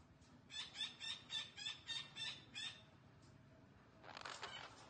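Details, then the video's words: Green parrot chattering in a rhythmic string of about seven raspy pulses, roughly three per second, followed by a brief pause and a broad, noisy burst. "Green parrot talking sounds"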